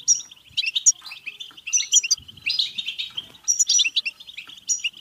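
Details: Stimulating bitbita song of the European goldfinch, meant to push goldfinches to sing, mate and get excited: continuous, lively twittering with buzzy trills and piercing ringing notes recurring throughout, over faint low background knocks.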